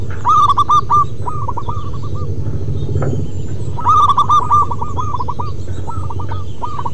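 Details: ['Local wild zebra doves singing, a recording meant to lure and stimulate other doves: several birds overlap in rapid series of short hooked cooing notes, with brighter bursts near the start and around four seconds, over a steady low hum.']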